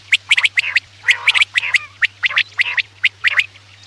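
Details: Quail calls used at night to attract birds for hunting: a fast, jerky series of harsh chirps and squeaky whistles, several notes each second.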